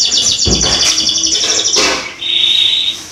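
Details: Canary song as a lure for young canaries: a dense, high buzzy trill that breaks off, followed by a steady thin sustained whistle.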